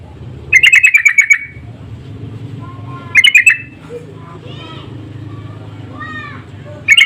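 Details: Insistent lure calls of Sooty-headed bulbuls answering each other: two loud bursts of fast, scratchy repeated notes, one longer and one shorter. Between them come faint rising and falling whistles, and a third burst starts at the end.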